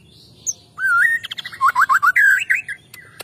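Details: White-rumped shama morning song used as a lure, with kapas tembak, cililin and canary material mixed in: loud whistled, warbling phrases with rapid twisting notes and a quick run of repeated slurred elements, over a quiet background.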